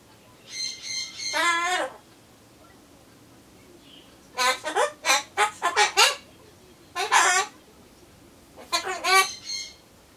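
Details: Solomons corella kept as a pet, chattering alone while it waits for pumpkin, saying goodbye-type phrases. Rasping, harmonic syllables come in bursts: a pair early, a rapid run of six or seven in the middle, then two shorter clusters.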